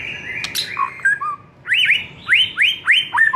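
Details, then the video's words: ['Murai master song to set a murai singing: sliding whistled notes at varied pitches, then a rhythmic series of rising-falling chirps about every third of a second.'] "SEKALI DENGAR Murai LANGSUNG NARUNG dengan MASTERAN satu ini"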